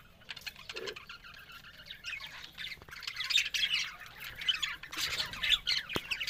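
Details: Budgerigars chattering on October 1: quiet, scattered chirps at first, then from the second second a rising, busy warble of overlapping squeaks and short squawks, with a sharp click near the end.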